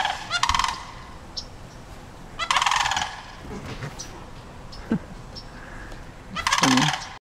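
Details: Sandhill cranes warning a dog across the street to stay away, three loud rattling bugle bursts spaced a few seconds apart, with faint clicks and background rumble between calls.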